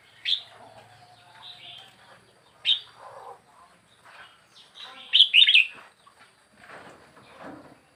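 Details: Wild red-whiskered bulbul, a young bird four weeks in a cage: short bright chirpy phrases rise out of a quiet background three times, roughly every two to three seconds, the last a fuller warbled burst.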